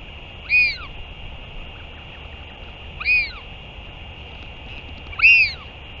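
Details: Northern royal albatross on 31 May 2023, during a return and feeding, gives three distinct arched squeaky calls spaced about two and a half seconds apart, over a continuous high hum.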